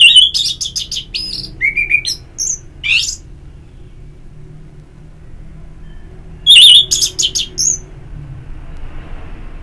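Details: Orange-headed thrush performing ngeplong song for therapy audio that stimulates singing: quick chattering trills and high whistles, a pause, then another rapid trilled phrase.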